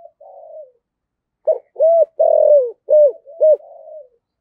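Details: Spotted dove giving a full cooing sequence in the 'thổ' voice style, calling to the flock and used as a lure for wild doves; a soft drawn coo, then a run of short, mellow, hooked coos about two per second.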